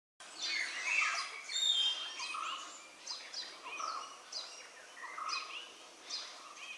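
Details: Malabar grey hornbill (Ocyceros griseus) giving harsh, cackling squeals and chattering notes that tumble over one another at an uneven pace, with a faint hiss of background noise.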